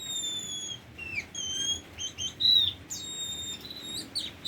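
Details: A tame Oriental magpie-robin gives pure, drawn-out whistles broken by short slurred and buzzy phrases, several notes held steady, over a quiet low hum.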